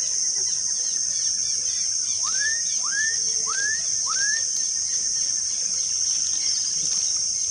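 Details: Black-capped donacobius calling at REGUA Wetland Reserve on 5/3/16, giving four quick upslurred whistled notes in a row, set against constant shrill insect buzzing and faint other chirps.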